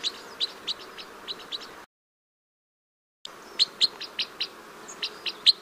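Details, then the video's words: Crossbill giving short, high, hard chipping notes in an irregular rhythm, broken by a brief silent gap before the chips resume. "Canto do pássaro cruza bico"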